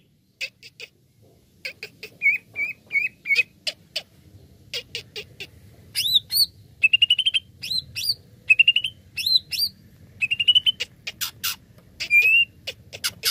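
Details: Greater green leafbird lure song meant to set other birds singing: long varied medley of harsh chips, short whistled phrases, hooked rising notes and fast trills, building in density over thirteen seconds.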